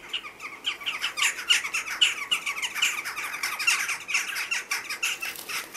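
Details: Jackdaws quarrelling at a chimney where a breeding pair has chicks; a dense, continuous jumble of harsh, overlapping squawks from several birds, loud throughout with little pause.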